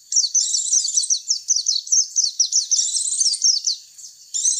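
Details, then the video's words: White-eye lure call used to attract white-eyes: dense, rapid, high-pitched twittering in fast jumbled bursts, nearly continuous with brief pauses, on a clean, quiet background. "Suara pikat pleci"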